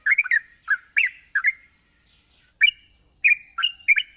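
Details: Yellow-vented bulbul singing vigorously, used to prompt lazy bulbuls into song: short bubbly, liquid phrases of rising and falling notes in irregular bursts, with a pause mid-clip, over a steady high hiss.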